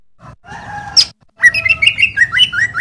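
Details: Green leafbird master song for training cage birds: a soft opening warble, one sharp high note, then a fast, continuous chattering run of varied whistles over low background hum.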